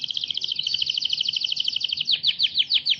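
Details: Canary song for training birds: a very fast, even, pulsing trill of bright notes, then slower loud downward-sweeping whistles repeated several times a second.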